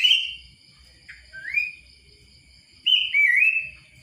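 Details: Sooty-headed bulbul giving a few clear whistled phrases: a strong opening note, a rising slurred whistle, a pause, then a final burst of warbled whistles, over a thin continuous high-pitched tone and faint low rumble.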